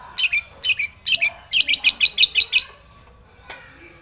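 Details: Long-tailed shrike singing aggressively toward a rival: paired harsh chattering notes, then a rapid run of rasping syllables near five per second, ending with a single click.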